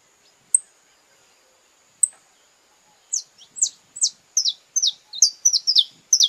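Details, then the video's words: Brazilian saffron finch in courtship, singing a steady series of high, falling chirps that grows in pace, each note a sharp downslur, preceded by two isolated thin ticks. "Ritual do Amor Canário-da-Terra em Sua Expressão Mais Apaixonada - Canto de pássaros brasileiros"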